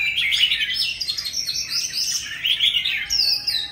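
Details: Oriental magpie-robin from old forest singing loudly without pause, a rapid run of warbled, rising and falling whistled notes, with a few higher sweet whistles near the end.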